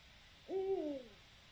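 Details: One low hoot from a Eurasian eagle-owl, recorded 7 October 2020, softer than nearby calls: a held deep note gliding downward at the end, with a quiet hiss behind it.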